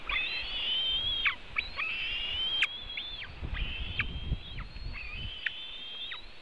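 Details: White-tailed eagle at a nest webcam in Latvia, feeding the eaglets in the afternoon, June 2018: high, thin whistled yelps with rising and falling strokes, repeated in quick series, over low rumbling background noise.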